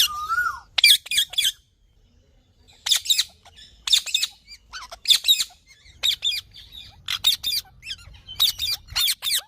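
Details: Green parrot calling: a short rising whistle at the start, then scattered harsh squawks in pairs and triplets over steady faint background hum.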